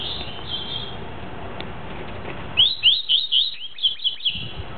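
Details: Tuí-tuí song of a Double-collared seedeater: after a few seconds of muted, hissy background, a brisk series of about eight bright, rising whistled notes, evenly spaced and clear.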